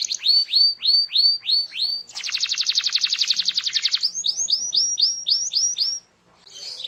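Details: Canary song to prompt other canaries: repeated downward whistled notes, a dense buzzy rattle for two seconds, then more falling whistles before a pause.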